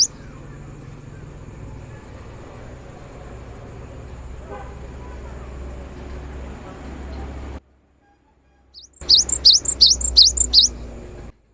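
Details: Cinereous tit song played to make silent birds sing: a long stretch of low engine noise and faint background, a short gap, then a burst of about six high, quick, rising whistled phrases near the end.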